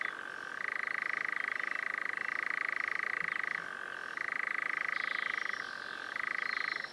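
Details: European nightjar (Caprimulgus europaeus) giving its long purring churr, a rapid even rattle that switches several times between a higher and a lower pitch, each phrase lasting a second or more. Faint high sounds are in the background.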